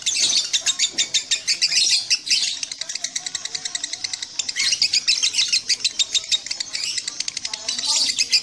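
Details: High, rapid chatter from a lovebird, bursts of dense buzzy notes alternating with slightly looser runs of quick chirps, continuing for over eight seconds.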